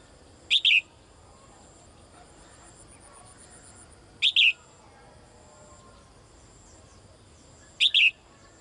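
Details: A female bird calls the male daily: three loud, high double chirps roughly every three and a half seconds, each a quick note followed by a falling one, with a faint steady high hum.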